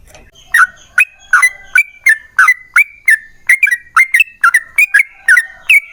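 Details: Lure song of a yellow-vented bulbul in the long 'ropel panjang' style: bright bubbling notes, some rising and some falling, poured out in an irregular chain with tiny gaps.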